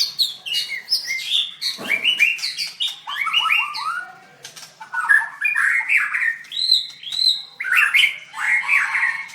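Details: White-rumped shama in a singing contest, dancing and singing vigorously: dense cascades of rich warbled and slurred notes, rising and falling, delivered almost without pause.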